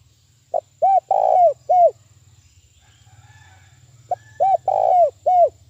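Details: Fast 'thúc bổi' lure calling by a decoy spotted dove for trapping: two full phrases, each a clipped note followed by three rounded coos, the middle one longest, with a soft low hum between.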